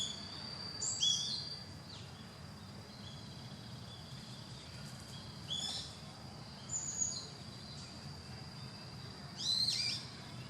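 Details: Female Narcissus flycatcher makes scattered, brief, high-pitched chirps, a few seconds apart, against constant faint environmental hiss.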